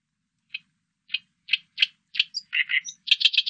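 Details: Song of an oriental reed warbler, recorded in 2020 for a national biological resources collection: spaced single harsh chacks that quicken, then a squeaky high note, a pair of lower grating notes, and a dense rapid chattering burst at the end.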